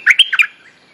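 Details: Bulbul lure song for attracting a mate and teaching young birds: a loud, brief phrase of four rapid, liquid chirps trailing into a soft, fading whistle.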